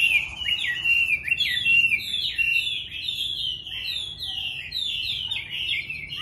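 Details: Morning song of a Chinese hwamei: a fast, unbroken stream of loud, twisting, slightly harsh whistled notes, tumbling on without pause.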